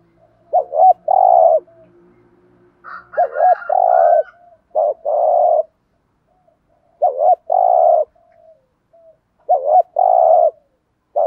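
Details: Spotted dove calling, a lure bird used to provoke rivals: repeated phrases of a short hiccuping double coo then a longer soft coo, about five phrases, with faint background rumble early on.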